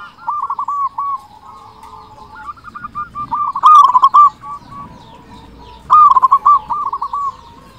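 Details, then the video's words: Local Zebra Dove with a big voice, singing strongly as a lure for silent doves: quiet purring coos, then two loud trilled phrases of quick bubbling notes about two seconds apart, with fainter cooing from other doves beneath. "Perkutut lokal gacor suara besar Pancingan burung perkutut agar cepat bunyi"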